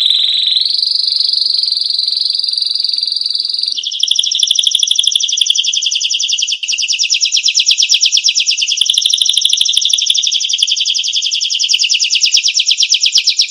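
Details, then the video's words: Canary song for tutoring cage songbirds: a sustained high steady whistled tone rising in pitch, followed by a long, very rapid buzzy trill of tiny notes that runs on for several seconds. "masteran burung kenari"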